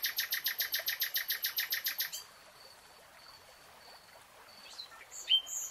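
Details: Nightingale in a lush green forest delivers a run of about fifteen evenly spaced, harsh repeated notes. Near silence follows, broken by a faint high whistle and a final sharp note.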